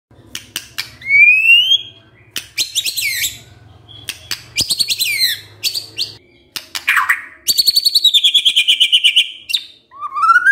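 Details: White-rumped shama giving kretekan, meant to stir up other birds: rapid dry rattling bursts, a rising whistle, and high metallic trills, with a low steady hum underneath for the first six seconds.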